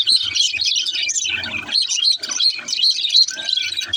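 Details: Young budgerigar song: busy high twittering with sharp chirps standing out about once a second, plus a brief steady whistled note near the end.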